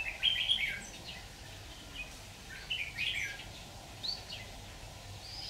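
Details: Red-whiskered bulbul during trapping with a decoy bird, 26 October 2019: bright warbled phrases with high whistled notes, loudest at the start and again midway, then softer chirps, over steady low background hum.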